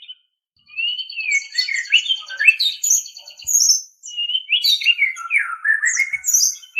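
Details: Song of a white-rumped shama, recorded for tutoring captive songbirds: rapid varied phrases of bright descending whistles, twittering notes and high chips, with a short pause near the middle.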